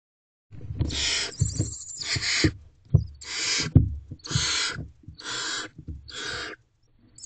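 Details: Barn owl owlets in a nest box at 1:47 am on 28 April 2023, stumbling over each other to get closer to their mother, who may hold a mouse. Five loud, breathy hissing screeches, each about half a second, over soft thumps of scuffling.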